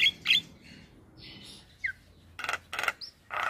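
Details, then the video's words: Male Javan myna singing, a sound meant to get other mynas singing along: harsh broadband squawks and short whistled notes in scattered bursts, with low background rumble. "SuaRA Jalak Kebo Jantan Bikin Burung Jalak Yang Dengar Langsung Ikut Bunyi"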